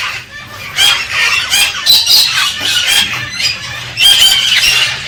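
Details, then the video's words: Galah cockatoo encouraging a female to mate, uttering hoarse, rasping screeches in uneven pulses, each burst harsh and broad, separated by quieter moments. "Tweeting Cockatoo Gala parrot stimulates the female"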